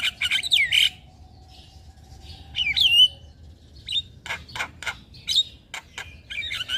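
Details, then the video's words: Javan myna master song, full of fill-ins, played to young birds: a loud twisting whistled phrase, a pause, then another slurred whistle and a string of short sharp clicks and chirps near the end. "Pancingan Dan Masteran Jalak Kebo Full isian Pas Buat Jalak Kebo Muda"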